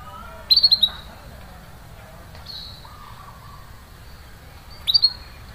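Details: 'Cuit cuit' canary chirping meant to restart a quiet canary's singing: a fast run of four high, clipped notes, a long gap with a faint low whistle, then another quick cluster of chirps.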